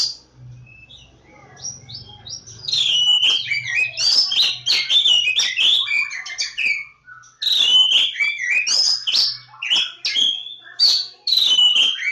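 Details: An Oriental magpie-robin, the Kacer Jawa, starts with soft scattered notes and then bursts into a long, rapid run of loud chirps, trills and whistles. The run pauses briefly midway, then resumes.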